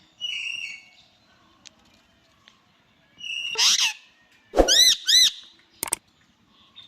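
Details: Indian ringneck parakeet, said to be talking: soft whistled chatter first, then a rasping burst, a pair of loud arched squawks and a sharp click near the end, separated by brief silences.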